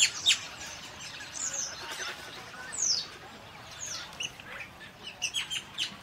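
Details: Common starling giving slurred whistles, squeaks and rapid clicking notes in a loose, varied sequence against a quiet background.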